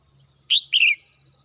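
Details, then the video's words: Household pet red-whiskered bulbul singing in the morning: one short, bright whistled phrase of two quick slurred notes, the second warbling and falling, with a faint low hum underneath. "CHim Chào Mào Mơ nhà mình hót buổi sáng"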